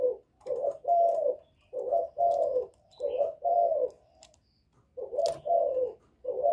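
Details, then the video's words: Spotted dove of the 'Thổ' voice style calling to provoke wild males: repeated pairs of low rolling coos, short then long, a pause after about four seconds, then the pairs resume, with a few faint clicks. "Cu Gáy Giọng Thổ GÁY GỌI kích bổi cực hay, cu gáy một hậu hạp bổi, cu đất gáy kích bổi, cu cườm gáy"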